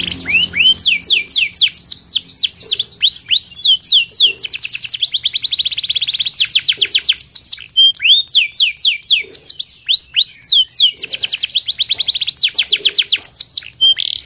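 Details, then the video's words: Caged canary in full song: long fast sequences of sharp descending high-pitched sweeps and trills, broken by rapid rattling phrases and brief pauses, continuous and loud throughout. "KENARI MEWAH!!"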